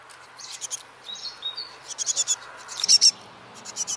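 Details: Great tits, parents and fledglings at a tree-log nest in a village garden, early morning at fledging time in spring; parents sing to encourage chicks to fly: thin, high chirps in quick irregular bursts, some in clusters of three or four, over soft hiss.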